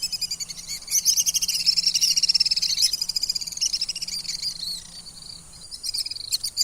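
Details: Common swift giving high, shrill trilled screams made of rapid buzzy pulses, several overlapping streams rising and falling, loudest in the middle seconds, with a faint low hum underneath.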